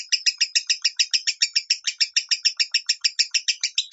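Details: 'Minor' tone song of a lovebird, meant for training other lovebirds to sing: steady, rapid series of scratchy, high-pitched chirps, about seven a second, without pause, in a quiet setting.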